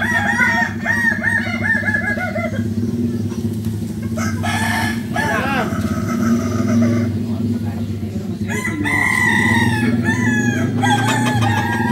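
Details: Balenggek roosters at a Sunday crowing contest, landiak class, in Ampang Kualo, Solok city: several long, wavering multi-note crows overlap at the start and again near the end, over a steady low engine drone and voices.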